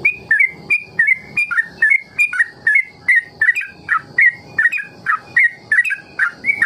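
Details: Trucukan ropel recording for teaching trucuk long ropel: evenly spaced whistled notes, about 51 per minute, each a quick slur falling then rising, sounding crisp against a quiet background.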